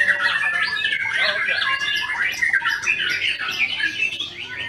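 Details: White-rumped shama singing a busy, varied run of whistles, quick trills and chattering notes, mostly mid to high pitched, with some harsher squawky elements mixed in.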